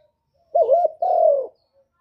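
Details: Single 'kuk 1' phrase from a spotted dove (derkuku) used as a lure for other doves: a quavering first coo, then a sustained, mellow coo sliding slightly downward.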